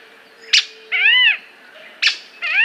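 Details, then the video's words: Squirrel cuckoo giving two sharp, explosive chip notes, each followed by a drawn-out, arched, nasal mewing note with rich harmonics, in a quiet background. "Melhor Canto do Alma de Gato"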